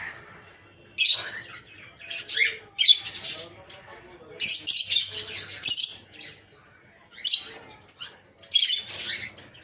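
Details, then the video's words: Aviary peach-faced lovebirds, colour varieties red-headed green opaline, red-faced dark green, blue rosy and lutino, repeat loud, raspy squawks in short bursts about every second, with brief quiet gaps. "Peach-Faced Lovebird's Sounds"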